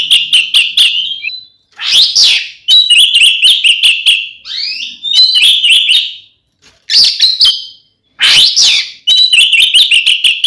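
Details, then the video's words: Oriental magpie-robin in provocative fighting song aimed at other magpie-robins; fast repeated clicking notes over a steady whistled tone, broken by harsh rasps and brief pauses across several phrases. "SUARA BURUNG kacer gacor NGEPLONG TARUNG ini paling AMPUH buat PANCINGAN KACER agar EMOSI"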